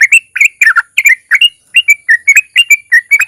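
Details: Sooty-headed bulbul singing long rolling phrases mixed with chatter, played to prompt other bulbuls to sing; quick bursts of bubbly, slurred chirps, about three to four per second, clear and close.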